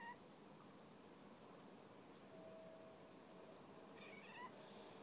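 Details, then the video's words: Eurasian jay in winter snow on a branch, meowing while begging for walnuts, soft at first and then annoyed; a short cat-like mew opens, then a longer, richer, downslurred meow near the end over a steady background hiss. "Сойка мяука МНОГО / Jay meows A LOT"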